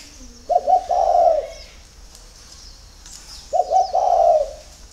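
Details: Spotted dove singing in early morning in Ba Vì, Hanoi, Vietnam: two low cooing phrases about three seconds apart, each a short stuttered coo run into a longer rolling coo, with faint high chirps from other birds.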